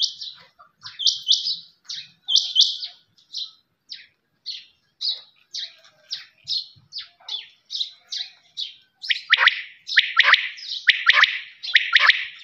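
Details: Quail calls: soft, high chirps at first, then loud, harsh, rapidly repeated multi-note phrases building over the last few seconds.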